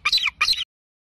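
An eagle gives two quick, high, squealing notes, each about a third of a second, with bending harsh overtones; nothing else is heard.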